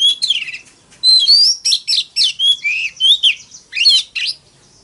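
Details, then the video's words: Oriental magpie-robin fighting song: a continuous string of loud, varied whistled notes, slurred up and down, delivered in quick succession. "Tiếng than mồi hót đấu"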